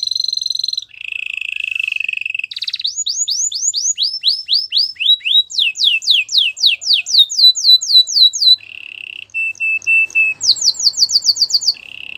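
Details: Belgian canary singing a powerful song meant for training, with a varied run of tours: steady whistled notes, rapid rising sweeps repeated several times a second, buzzy rolls and fast high trills, clear and loud throughout.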